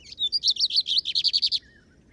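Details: Lined Seedeater (bigodinho) on a field outing, giving a fast run of about a dozen loud, buzzy repeated notes in a steady series, ending in a short, fainter falling trill; quiet background.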